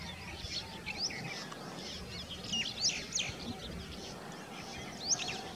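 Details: Black-headed Bunting, a winter migrant, in February in Kanha National Park, Madhya Pradesh, India, open scrub and grassland habitat: scattered short high chips and thin upward-sweeping notes from several birds, irregularly spaced, over low rural background noise.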